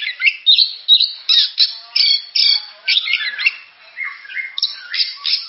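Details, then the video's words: Oriental magpie-robin (kacer) delivering fast, loud, harsh chattering notes in quick succession, then softer varied whistles and warbles toward the end. "Suara burung kacer"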